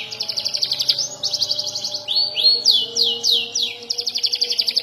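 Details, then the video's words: Young canary learning to roll and sing sharp bursts: rapid series of repeated downslurred high notes, a long level whistle, then looping swept notes and a fast trill at the end. "KENARI paud belajar ngeroll dan nembak"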